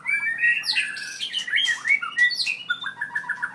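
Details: A 7.6-inch-tailed, 4-year-old white-rumped shama from Merapoh, Pahang, gives loud swooping whistles and harsh notes, then a quick run of short repeated chirps at the close.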